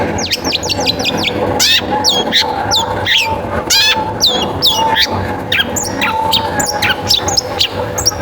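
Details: Long-tailed shrike song used to stimulate other shrikes to sing: dense, fast sequence of sharp slurred chips, buzzy strokes and scratchy whistles, nearly continuous throughout, with a faint steady tone in the background.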